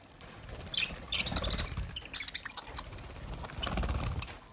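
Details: Lovebirds eating green food as summer feed give a few short, high chirps over low rustling and pecking noises from the feeding.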